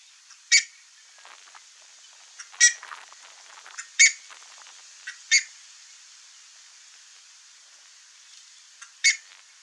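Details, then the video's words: Pair of buff-necked ibises foraging together, giving loud harsh single calls spaced irregularly every one to four seconds, each short and metallic, with quieter clicks between and an otherwise quiet outdoor background. "CURICACA casal pastoreia e canta"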